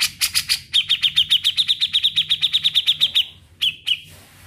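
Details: Grey-cheeked bulbul singing vigorously in a trilling style: a few harsh broadband notes, then a fast, even series of about twenty sharp whistled notes at one high pitch, closing with two more clipped notes.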